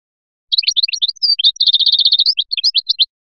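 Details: European goldfinch of Biskra giving Felyachi-style song: scattered chirps, a short whistle, then a long rapid buzzy trill followed by spaced, varied twitters, delivered at a lively pace without background noise.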